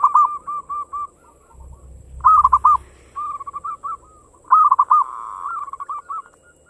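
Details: Local zebra dove song, fast 'ngayer engkel' style, aimed at getting other birds singing: a string of evenly spaced soft coos, then loud rolling trilled phrases and a long buzzy run, with a low rumble in the middle.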